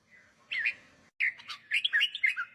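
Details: Red-whiskered bulbul singing, played for young birds to copy or to make birds lively: a brief fluty note, a sudden break, then a quick run of bright warbled and chirped notes.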